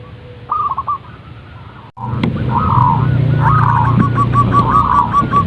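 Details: Zebra dove (perkutut) calling in the morning: a short bubbling coo phrase, a pause, then a longer run of rolling, evenly repeated soft coo notes over a steady low hum, with a brief thump between.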